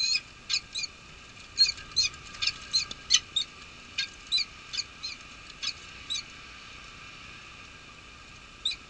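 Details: Peregrine falcon pair at a snowy nest-cam scrape, Nottingham Trent University, UK, 23 March 2013, male taking over incubation from female; quick series of short, sharp, chipping calls in irregular bursts, roughly two or three per second.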